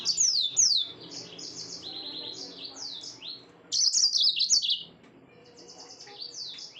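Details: Yellow-fronted canary song at night, a rapid run of bright trills and slurred, downward-sweeping whistles, with a loud, dense burst of warbled notes in the middle before softer trilling resumes.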